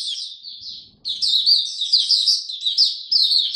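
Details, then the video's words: In a cage, an oriental white-eye on a diet adjusted for cold rainy weather gives a short opening twitter, pauses, then launches a loud, fast, high-pitched warbling run. "Mata Puteh Buka Sing Raja"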